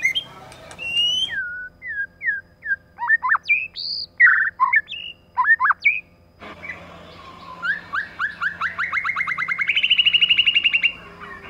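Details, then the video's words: Lure recording of a female white-rumped shama alongside a male, meant to excite other shamas: scattered varied whistles and chattery notes, followed by a long fast trill rising steadily in pitch. "CHOÈ LỬA MÁI.choè lửa trống + mái kích lửa.choe lua mai.pancingan murai batu.lửa mái mồi."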